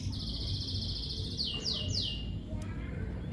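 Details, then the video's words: Lovebird calling: a long, steady, buzzy high tone, followed by two quick downward-sliding chirps and a brief click, all over a low rumbling background. "Lovebird Chirping Sounds"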